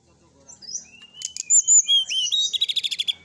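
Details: Sooty-headed bulbul singing at night for a tutor recording rich in fill phrases: soft high slurs build into loud sweet whistled notes, then a rapid stuttering trill of repeated short notes.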